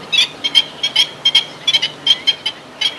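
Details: Black-winged stilt calling: sharp, nasal, yapping notes repeated in quick irregular bursts, several per second, over a faint steady background hiss.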